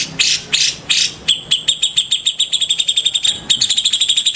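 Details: Morning song of a white-rumped shama, opening with three rough, scratchy bursts, then a quickening train of bright, high, ticking notes that grows faster and denser toward the end.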